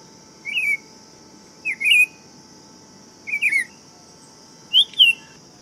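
A Buff-throated Saltator sings four short, sweet warbled whistle phrases about every one and a half seconds, over a steady high insect hum.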